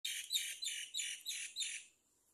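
A great myna chick gives six harsh, hissing rasps in quick succession, about three a second, high-pitched and scratchy, begging for food.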